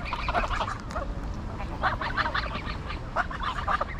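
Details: Greylag geese in Pearson Park, Hull, England, 22 August 2021, captured on a GoPro Hero9: a busy chorus of overlapping harsh honks and gabbling calls against constant low background noise.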